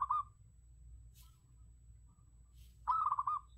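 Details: A zebra dove (Geopelia striata) gives two short bursts of soft, rolling, stuttered cooing, about three seconds apart, with faint rustling clicks between.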